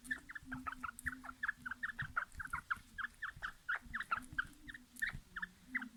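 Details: Quail prepared for a fight, 2020: quick bursts of short, sharp chirps in a fast, near-regular series, roughly four to five per second, with faint low rumbling underneath.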